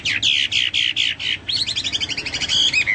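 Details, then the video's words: Chinese hwamei in full song, compared to cucak Papua or cucak mas: six strong, evenly spaced downslurred notes, then a rapid rolling trill and a closing falling whistle. "burung hoa mi seperti cucak Papua atau cucak mas gacor"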